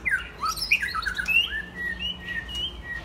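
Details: Young adult white-rumped shamas, mostly after first molt and playing together, pour out a continuous warble of rising and falling whistled notes.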